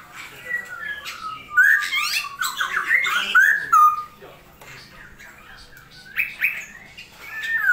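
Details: Straw-headed bulbul singing while rainfall is still frequent: a loud, rich cascade of tumbling, slurred notes for about two seconds, a pause, then renewed warbling phrases.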